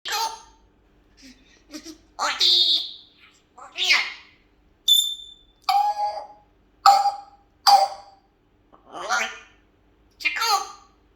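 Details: A pet African grey parrot talking in Malayalam: short speech-like syllables in separate bursts across about eleven seconds, some harsh and breathy, others clearer and tonal, with quiet gaps between words.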